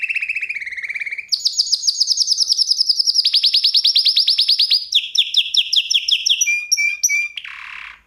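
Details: Song lesson for canaries: a canary sings a fast rolling trill, then long sustained high buzzy rolls that shift in pitch, ending with short clipped whistles and a brief noisy burst.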